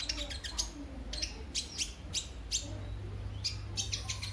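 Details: Sunbird sound played as a lure to set other birds singing: sharp, dry, high chips in small clusters, spaced irregularly about every half second, over a faint low hum.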